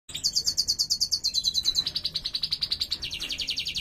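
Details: Female European goldfinch in breeding condition giving her cruaca: a fast run of high, rasping chirps repeated about five per second, first sharper and higher, then dropping slightly and continuing steadily to the end.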